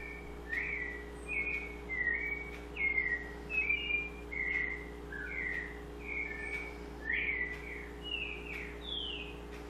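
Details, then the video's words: Song of a white-necked thrush: clear whistled notes in quick back-to-back phrases, some falling, some sweeping upward, given repeatedly with a constant low humming background. "Sabiá Coleira"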